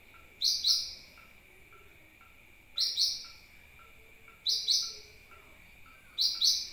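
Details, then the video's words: Sunbird call used as bird lure: four evenly spaced pairs of sharp, high, slightly descending chips, about one pair every two seconds, over a faint continuous tone. "suara pancingan burung kolibri"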